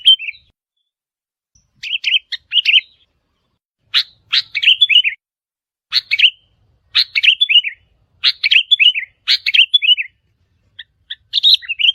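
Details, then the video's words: Challenge calls of a wild sooty-headed bulbul toward resident birds. Clean, separated phrases, each a sharp attack followed by a few bubbling, downslurred notes, repeat roughly every second over a quiet background. "เสียงนกปรอดหัวเขม่า นกแทด นกกระแทดดากเเดง เสียงเร้าใจนกป่า ท้าทายเจ้าถิ่น"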